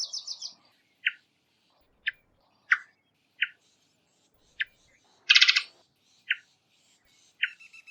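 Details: Varied thrush calls: short, sharp notes near the middle of the range, repeated roughly once a second, with a brief high chatter at the start and one loud harsh squawk-like burst partway through.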